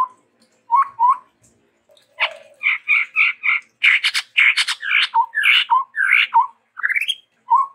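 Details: Lively song of a Chestnut-rumped babbler, described as endemic to Sumatra: a few soft whistles, then a long run of loud, harsh, chattering notes, a rising slurred note and a final whistle.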